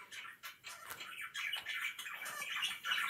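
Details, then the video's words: Kept budgerigars keep up their chirping, a quieter run of quick squeaky notes and brief warbled whistles coming about three a second, growing busier and louder toward the end. "BIRDS ALWAYS CHIRPING"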